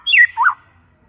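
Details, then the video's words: White-rumped shama pancingan song meant to be clear and loud: two quick slurred whistles, the first dropping sharply, the second rising then falling, clean with no background noise. "PANCINGAN MURAI BATU PALING GACOR DAN AMPUH SUARA JERNIH VOLUME KENCANG"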